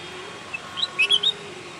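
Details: A bulbul gives a short, quick burst of four or five bright chirping whistles close together, softer than the background hiss at first and ending abruptly.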